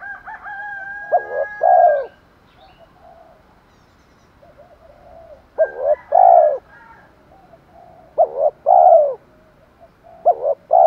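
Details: Spotted dove in 'thổ pha thúc đấu' voice, sung to draw in wild birds. Low two-part coos repeat several times: a brief note, then a drawn-out mellow coo. Faint higher tones and gaps of quiet lie between phrases.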